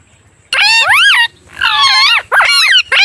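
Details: Parrot making loud, harsh, rich-toned calls in three long arching bursts that rise then fall, followed by a short fourth burst.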